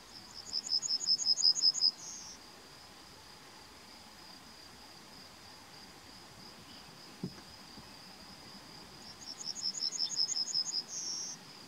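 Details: Yellowhammer singing in May 2020: two phrases about seven seconds apart, each a quick run of around eight high, thin repeated notes ending in a longer drawn-out note, over a steady high insect-like hiss.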